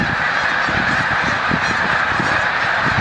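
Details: Snow geese lifting off together at Montezuma, New York, in early March 2022 migration: a brief burst of massed honking, dense and even, over soft low-pitched thumps.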